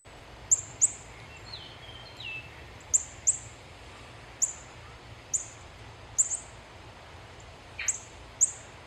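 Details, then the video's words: A female Northern Cardinal gives sharp, high metallic chip notes, often in pairs, about every second; a few faint down-slurred whistles sound in the background. "so let me play the female cardinal call song real quick"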